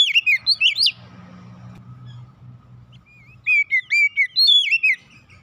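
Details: Lure song to set a home-kept magpie-robin singing: a short run of bright, slurred whistles, then a hushed gap with low rumble before a second quick string of rising and falling whistled notes.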